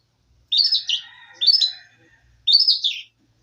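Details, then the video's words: Canary song as training material: three separate short phrases of high, warbled chirping with brief quiet gaps between them. "CENDRT MATERI BURUNG KENARI"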